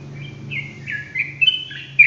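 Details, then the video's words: Sooty-headed bulbul singing in the ropelan style: a few short whistled notes slurring down and up, spaced and strengthening toward the end, over a steady low electrical hum. "TRUCUKAN ROPELAN GACOR COCOK BUAT MASTERAN"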